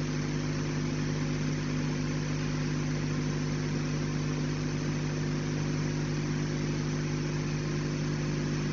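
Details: A steady low engine idling drones throughout, with a constant hum and no animal calls heard.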